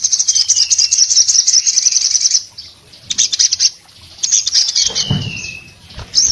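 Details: Breeding-condition orange-headed thrush in full open-beaked song that prompts other orange-headed thrushes to call. A long continuous shrill trill, a pause, then bursts and a slurred descending whistle, with one low thump.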